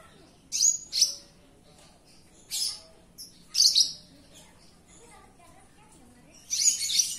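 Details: Javan bush lark singing inside a room, giving separate high bursts of sharp chirps spaced a second or two apart, with quiet gaps between.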